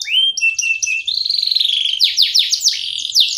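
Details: Canary song recorded in Ciamis, Indonesia: rising whistled notes and a sustained buzzy trill, then a series of loud rapid descending sweeps.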